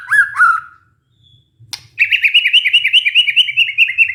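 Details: White-rumped shama song used as a lure to coax a stressed caged bird back into singing: two loud whistled notes near the start, a pause, then a rapid run of repeated chirping notes.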